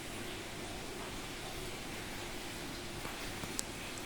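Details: Steady broadband hiss with one sharp click near the end and no animal voice.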